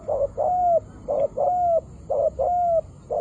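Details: Spotted dove cooing: low soft phrases, each a short note followed by a longer drawn-out coo, repeated about once a second over a faint steady background hiss.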